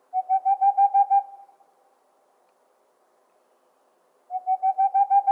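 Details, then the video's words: A boreal owl gives a quick run of about eight soft, hollow hoots, evenly spaced and trailing off, then starts another fast series. "The sound of a boreal owl"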